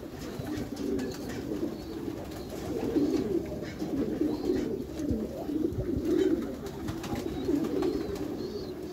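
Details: A loft of Meulemans racing pigeons in a backyard: low, throaty coos swell and fade in overlapping bursts, joined by light clatter and scattered clicks.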